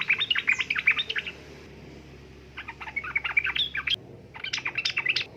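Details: Sooty-headed bulbul female calling to a male, used to draw males into singing: quick clusters of bright chirped notes, a lull of about two seconds, then two more lively chirping bursts.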